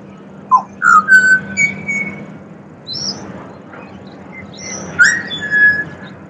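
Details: Pied butcherbird in Australia serenading with rich fluting whistles, short slurred notes then a longer level tone, a gap, and a second phrase of descending whistles; faint low background drone.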